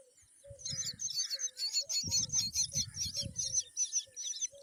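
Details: Myna feeding a green worm to its chicks: rapid, repeated high chirping notes about two and a half per second, with a few lower mid-pitched notes and low rumbling handling noise underneath.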